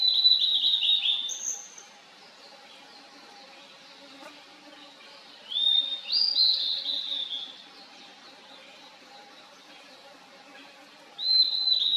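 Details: In a valley, 2023, a Blue-and-white flycatcher repeats bright whistled song phrases, three within twelve seconds, each sliding and warbling before a rougher closing note, with calm gaps between them.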